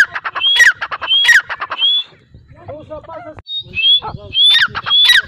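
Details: A grey francolin gives repeated harsh phrases of whistled rising notes and sharp descending strokes. A brief softer break in the middle holds faint other chatter before the loud calling resumes.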